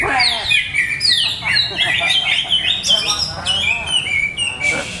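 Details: Greater green leafbird in a cage, still being tested by its keeper. Dense continuous song of swooping whistles, chattering and quick trills, steady and loud throughout.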